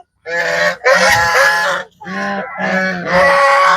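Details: Several domestic geese calling together at evening feeding on a small farm, following the feeder and trying to nip: continuous overlapping harsh, nasal honks in four bouts with brief breaks.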